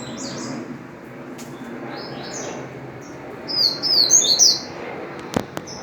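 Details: Double-collared seedeater singing in the wild: scattered soft, high notes, then a louder, rapid run of sharp twittering whistles, followed by a couple of brief clicks.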